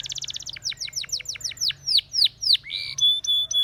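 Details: Spanish Timbrado canary song used for training canaries: a fast metallic trill, then a run of loud descending swoops about every quarter second, ending in a steady whistled note and clipped high tones.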